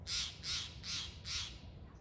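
Steller's jay giving four harsh, raspy shack notes in a quick even series, about three per second, with a faint low rumble beneath.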